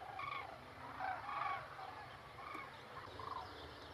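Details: Common cranes (Grus grus) in Extremadura, Spain, giving several short, hoarse trumpeting calls, some paired and overlapping, loudest in the first second and a half, then quieter bugling further off over a faint low rumble.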